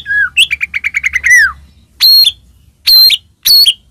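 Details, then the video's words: White-rumped shama lure song for provoking rival shamas: a descending slurred whistle and a quick stuttering trill, then three loud, harsh, buzzy high notes about half a second apart. "murai batu gacor, AMPUH buat pancingan murai batu agar bunyi"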